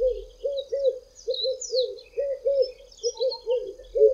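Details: Singing Red-eyed Doves, two in tall trees on a hot day in South Africa, with the familiar "I am ... a red-eyed dove" phrase; mellow hooting coos in uneven groups, a distant second singer, and high chirps of other birds.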